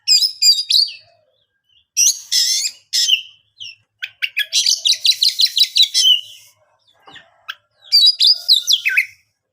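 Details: Oriental magpie-robin song meant to set other birds singing: loud bursts of quick chattering whistles separated by short pauses, with a long run of rapid repeated notes in the middle and another fast flourish near the end.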